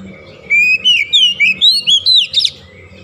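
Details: Oriental magpie-robin (kacer) singing nonstop 'gacor' chatter meant to spur silent birds: a brisk series of about seven bright whistled notes, swooping up and down, packed closely together, with faint low hum behind.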